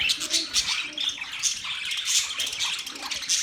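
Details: A flock of budgies chirping, recorded October 11, 2023, gives short bursts of sharp high tweets over a constant twittering background, several notes per second.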